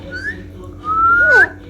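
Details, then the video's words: Parrot whistling while cuddled indoors; a short rising whistle, a pause, then a long steady whistle climbing at its end into a falling raspy sweep, low electrical hum in the background. "cute parrot talking on cuddling"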